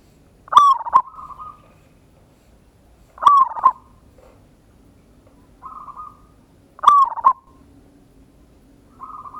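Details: Lure song of a local zebra dove, ngayer kerot nutut style, meant to stir other perkutut into answering. Three loud phrases roughly every three seconds, each a sharp rising coo then rolling stuttered notes, with fainter flat coos between.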